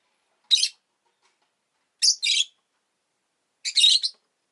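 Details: Two rosy-faced lovebirds grouped at the entrance give three harsh chirping bursts about one and a half seconds apart, the later ones doubled and buzzy.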